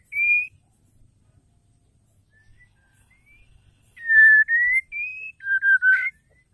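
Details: Female white-rumped shama whistling to trigger male song. A short high whistle, a long pause, then a run of clear notes: low, rising, high and steady, then several quick falling whistles.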